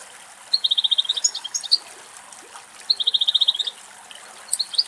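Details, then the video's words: Two adult male European goldfinches at water in a forest in Greece, thirsty in summer heat: two bursts of quick, evenly spaced high notes in a stuttering trill, each ending in twitters, with a soft trickling stream behind. "Καρδερίνα Κελάηδημα"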